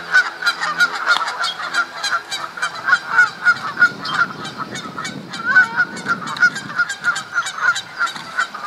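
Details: Canada geese fighting for females during April mating season at Duke Farms, New Jersey, 2015; rapid, harsh honks from multiple birds, roughly three per second, with brief quieter gaps between bursts.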